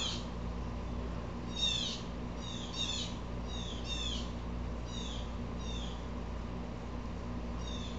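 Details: Blue Jay upset again, giving repeated harsh downslurred calls, some doubled into rough bursts, at irregular intervals, with a low droning hum throughout.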